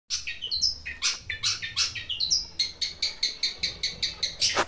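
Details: Long-tailed shrike kept at a house, calling out as soon as someone arrives and acting as a house guard, with a voice likened to a pied myna: harsh, scratchy notes repeated rapidly about two to three per second, over low background hum.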